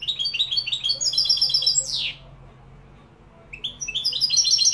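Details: Malaga-style song of a European goldfinch from Morocco: rapid high chattering phrases, a sharp descending swoop, a short silence, then the bright twittering resumes.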